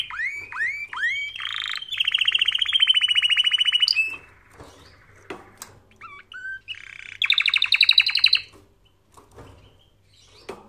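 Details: Singing canary, song played for training canaries: varied phrases of rising slurred whistles, a long rapid buzzy roll, brief chips and pauses, then another rattling trill before quieter scattered notes.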